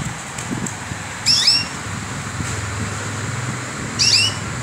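A canary gives two short, bright chirping bursts with quick falling notes, about three seconds apart, over a low steady rumble.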